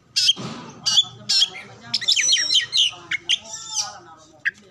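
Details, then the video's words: Oriental magpie-robin song used to coax other birds into singing, said to include imitations of other species. Sharp squeaky notes, a harsh rasp, and a jumble of quick twittering and whistled slurs come with pauses in between. "pancingan Kacer terbaru 2022 ampuh langsung nyaut gacor buka ekor"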